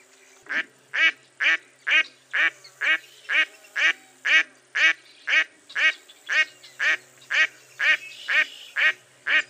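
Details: Mottled duck calling with a long, steady run of about eighteen loud nasal quacks, evenly spaced at roughly two per second, each note harsh and descending slightly in pitch.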